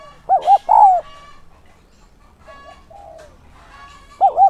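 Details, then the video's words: Decoy spotted dove cooing to bring in wild doves: a wavering double coo and a downslurred note, a quiet stretch with faint background sounds and a softer coo, then another wavering double coo. "Chim cu gáy mồi giọng SON chuẩn THÚC và GÁY GỌI kích bổi nhanh nổi hiệu quả"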